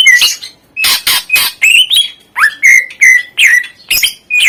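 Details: Greater green leafbird in lively gacor song packed with isian fill-in phrases, played to prompt lazy birds to sing: sharp chirps and squawky bursts alternating with clear whistled slurs that rise and fall, delivered in rapid uneven notes.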